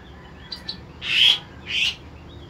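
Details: Javan grey-throated white-eye (Heleia javanica) song: two quick high chirps, then two longer, slightly harsh twittering bursts about half a second apart, over faint background hiss.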